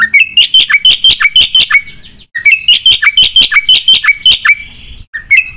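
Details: Black-winged myna singing repeatedly with borrowed fill-in phrases: two bursts of about eight hooked, upward-flicking whistled chirps each, with a short pause between them and a lone note at the end.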